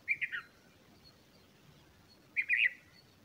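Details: Bulbul at the nest while feeding its small chicks: two short, bright chirp bursts, each a quick wavering double note, separated by about two seconds of near silence with a soft background hiss.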